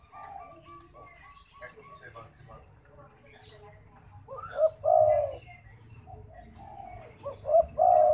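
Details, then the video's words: Zebra dove cooing, with mellow low notes and a rising-falling higher tone, heard after a stretch of human speech in the background. "Istimewa Burung derkuku gacor"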